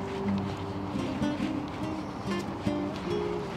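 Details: Steady plucked string music plays over a low background wash, and no animal calls can be picked out.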